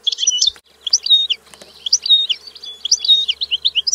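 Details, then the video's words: European goldfinch song, a continuous stream of bright, tinkling twitters and short buzzy notes, with sweet liquid phrases rapidly repeated throughout. "Canto del Cardellino - Song of the goldfinch"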